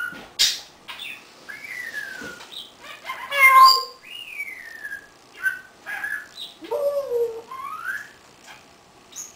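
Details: An 18-year-old caged African grey parrot indoors, vocalizing alone, mixes clear whistles that slide up and down with sharp clicks and squeaky mewing notes, in short bursts separated by brief pauses.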